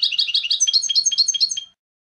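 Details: European goldfinch giving a short phrase of canto limpio, the clean contest song used for educating young goldfinches. About ten bright chirps come quickly at first, then slow slightly, before the phrase fades out.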